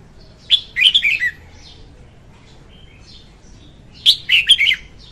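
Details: Red-whiskered bulbul hen singing, a recording meant to lure bulbuls into traps: two brisk, warbled whistle phrases about three seconds apart, each a cluster of fluty notes falling at the end, with quiet between.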